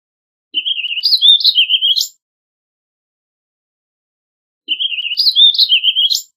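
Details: Warbling vireo repeating a near-identical rambling warbled phrase twice, each about a second and a half long, with a four-second gap between them.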